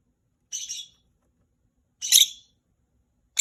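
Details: Rosy-faced lovebirds, three kept birds, calling back and forth; a softer rasping double shriek, then a louder harsh one about a second and a half later, and another starting at the very end.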